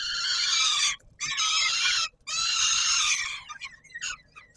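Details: Peregrine falcon at the Palace of Culture and Science in Warsaw, Poland, at feeding time on 17 July 2022: two long, harsh, rasping calls broken by a short gap, then fainter scratchy notes trailing off.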